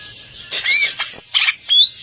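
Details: Greater green leafbird that won overall champion, giving loud harsh squeaky bursts mixed with high whistled slurs in four separate phrases.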